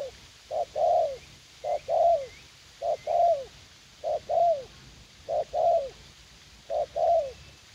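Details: In a U Minh garden, a young decoy spotted dove keen to fight calls in repeated phrases: a brief coo then a longer one sliding downward at the end, roughly once a second, with soft high chirps in the background.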